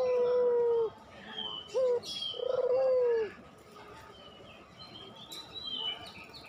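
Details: Spotted dove of the puter pelung kind, used as a lure so lazy doves start singing: a long steady low coo, a short bent note, then another long coo with a rippling onset, amid quiet high chirps.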